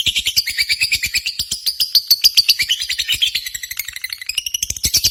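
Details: Competition lovebirds chatter without a break: rapid, buzzy, high-pitched pulses sliding slightly up and down, packed tightly for the whole stretch.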